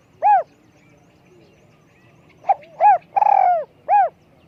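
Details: Spotted dove with a small, high voice, used for luring: one isolated arched coo, then after a pause a full phrase of clipped note, rounded coo, long rolling burred coo and closing arched coo.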